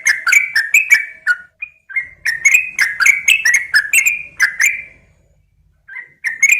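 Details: Female sooty-headed bulbul calling a male, giving a lively run of rapid, bubbly chirps and short whistled notes in quick succession. There is a brief pause before a few more notes at the end.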